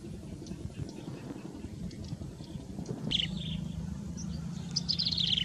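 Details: Yellow-bellied prinia calling: a short high thin burst of notes after three seconds, then a quick run of high twittering notes near the end, over a steady low rumble and faint background murmur.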